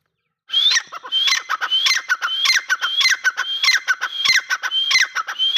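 A grey francolin gives loud, shrill, scratchy call notes, each with a rising whistle, repeated quickly and steadily, about one to two each second.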